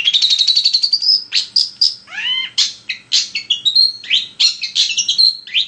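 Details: Long-tailed shrike singing non-stop as a lure to provoke another shrike: a rapid rising trill, then varied whistles, steeply falling slurs and scratchy chatter crowded into a busy, mimic-like medley.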